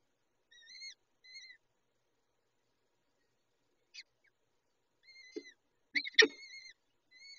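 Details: Peregrine falcon young at feeding time with the adult female: sparse thin, arched squeals, a soft tick, then loud sharp clicks among renewed squealing toward the end.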